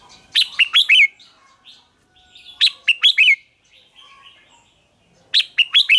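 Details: Red-whiskered bulbul singing in a contest to rouse rivals: the same short, springy phrase of several rising-and-falling whistled notes repeated three times, roughly every two seconds, with soft twitters between.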